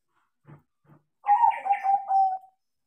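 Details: Two soft low knocks are heard, then a tame crossbred zebra dove, taught to sing, gives a rolling phrase of throbbing coos ending in a drawn-out steady note.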